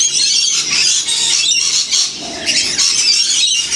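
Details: Many wild lorikeet parrots screech together while taking a free winter feed in St Clair, near Sydney; harsh, high, overlapping squeals pour out almost without pause, briefly thinning near the middle.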